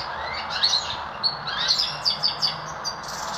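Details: Hybrid goldfinch mule from a goldfinch and Lizard canary cross, giving bright high chirps repeated in quick bursts, with soft twittering between, over a steady background hiss.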